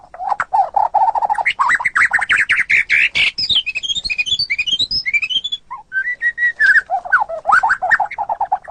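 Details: White-rumped shama song, recorded for training competition birds: a long rapid rhythmic chatter rising in pitch, then a cascade of high twittering notes, steady level whistles and a jumbled closing phrase.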